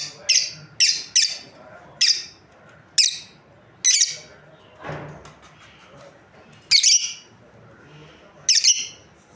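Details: Breeding pair of lovebirds chirping: a rapid run of six shrill high notes, a softer lower sound in the middle, then two more loud sharp chirps after a pause.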